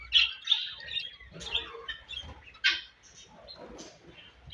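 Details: Eating budgerigars give sharp high chirps and squawks in uneven bursts, about two or three per second at the busiest, with faint low rustling beneath.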